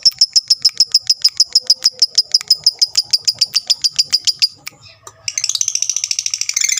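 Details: Lovebird of fighter type calling to provoke rivals: a steady string of sharp, clicking high chips repeated several times a second for over four seconds, a short pause, then a dense buzzy trill.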